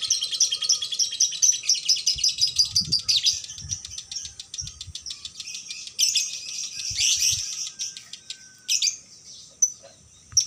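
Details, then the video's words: Caged female lovebird at an Indonesian bird shop giving a long unbroken konslet song, fast high chattering and buzzy trills with a few sharp squeaks, ending in scattered single chirps and faint knocking sounds. "Lovbird konslet"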